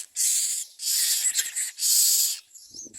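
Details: Young common mynas as adults bring food, giving three long harsh hissing rasps close together, followed by faint softer sounds.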